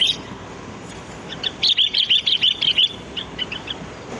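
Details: A wild sooty-headed bulbul, recorded as bird-luring sound, delivers a quick even run of about ten high, bright chirps, followed by a few softer notes.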